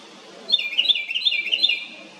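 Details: Little house wren giving a loud, rapid trill: about a dozen quick, sharp notes run together for a second and a half after a brief quiet start, with soft low background hiss.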